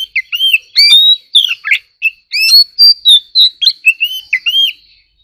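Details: White-rumped shama singing in competition: a varied stream of sharp chips, fast rising and falling whistles and sweet slurred notes, delivered in quick bursts with brief gaps.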